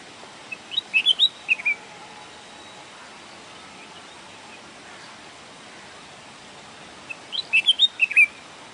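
A bulbul gives two short bursts of bright, bubbly whistled notes, about six quick notes each, several seconds apart. A faint steady hiss sits in the background.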